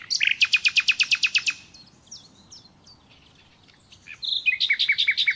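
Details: Nightingale song in a natural setting: about eleven loud, rapidly repeated notes, quieter twittering, then renewed fast repetitions.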